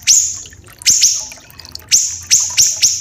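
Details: Common iora song, a tutor recording for training captive songbirds and mixed with a trickling-water effect. About six sharp notes in three seconds, each an upward sweep ending in a very high, harsh, sustained buzz. Spacing is uneven.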